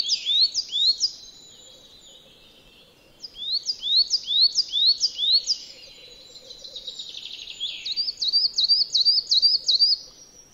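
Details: Coal tit around a yard in Joroinen, Finland, giving high, sharp repeated two-part notes in several bursts, each phrase of four to six notes, ending with a rapid thin series; a softer trill-like passage sits between phrases.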